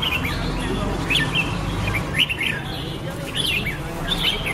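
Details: Red-whiskered bulbul (Pycnonotus jocosus) giving short upward-flicking whistled notes in separated bursts about a second apart, against constant low-pitched background noise.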